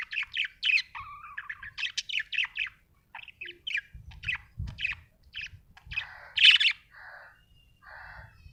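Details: Happy budgie chattering in quick bursts of scratchy, warbled chirps with short pauses. The notes vary in pitch, with a louder squeaky note near the end and faint low knocks in the background.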